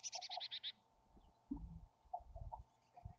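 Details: At a wild chickadee nest near Emigrant, Montana, in July, a quick run of seven high buzzy notes opens the recording, followed by low thumps and soft knocking inside the cavity.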